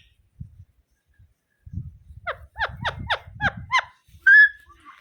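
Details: Rose-ringed parakeet (ringneck parrot) giving a quick run of six sharp, downslurred, harmonic notes over about two seconds, then a single louder, steadier tonal call. Low thumping and handling noise sit underneath.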